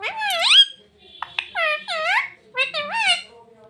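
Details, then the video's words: Pet parrot speaking "mummy papa": clear, loud, human-like syllables in three groups, each with swooping rising and falling pitch, with short clicks in between. "मम्मी पापा बोलने वाला तोता taking parrot"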